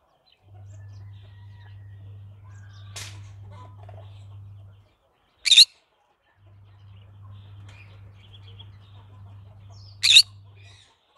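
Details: Pet green-cheeked conure parrot gives two loud, rasping squawks about five seconds apart, plus a fainter scratchy note earlier, over an intermittent low hum.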